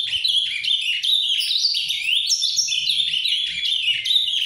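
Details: Ultramarine grosbeak in captivity giving continuous Paraná-type song, a busy, bright warble of twisting high whistles with no gaps across the whole stretch.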